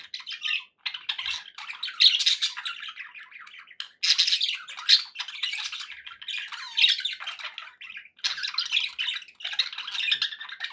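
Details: Pet budgies in continuous chatter: harsh squawks and rapid buzzy warbling in long bursts, a few clearer whistled notes, short gaps around the fourth and eighth seconds.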